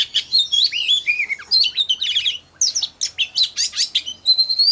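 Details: Oriental magpie-robin singing as a lure: rapid mix of whistled slurs and buzzy chatter, a brief pause midway, ending on a clear steady whistle.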